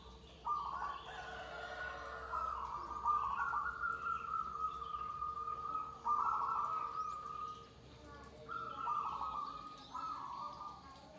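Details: Group of perkutut, zebra doves, singing: sustained cooing phrases that rise slightly and then hold level, repeated every couple of seconds, some overlapping, over a constant electrical hum and faint background chirps.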